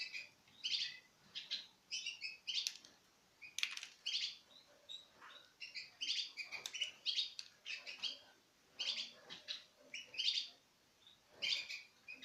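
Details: Pairs of Citril finches, recorded in 2016, feed from a hand. Dense bursts of high, tinny chirps repeat through the clip, broken by sharp clicks and short gaps.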